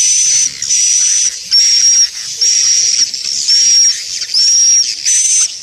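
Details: Lure call meant to draw swiftlets in, a swiftlet-farming sound: repeated loud hissing buzzes, each carrying a high steady whistle that dips slightly at the end, in blocks close to one per second.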